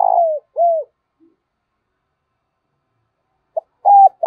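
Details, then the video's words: Decoy spotted dove with a 'thổ' voice, calling to draw wild doves. It ends one low coo phrase with a buzzy note and an arched falling coo, pauses about three seconds, then starts the next with a pip and a hoot. "Chim Cu Mồi/ cu gay kich boi nhanh noi gù"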